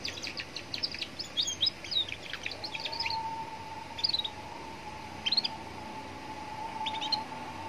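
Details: A young canary sings by a roadside to provoke other canaries to answer. High, quick chirps and brief trills come in short bursts, with a steady faint tone underneath and a background murmur of traffic.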